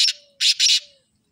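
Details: Part of a black francolin call, with three loud grating, buzzy bursts in quick succession and a faint low hum between them.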